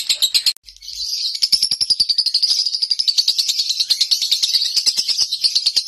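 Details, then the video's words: Domestic lovebird in konslet nonstop singing: after a short break, an unbroken stream of high, scratchy chirps builds up and continues steadily, several notes per second. "Lovebird konslet rumahan bikin heboh!!"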